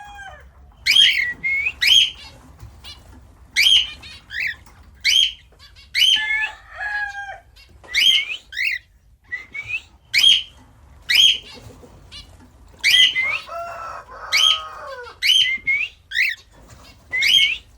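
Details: A lutino cockatiel gives loud, shrill chirps in quick pairs, repeated every second or so.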